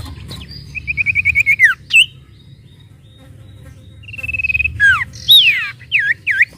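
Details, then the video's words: Sooty-headed bulbul singing to provoke other birds into calling: rattling trill falling at its end, a short upswept note, pause, a level buzzy trill, then loud swooping and curling whistled phrases. "pancing emosi burung sirtu bahan agar cepat bunyi"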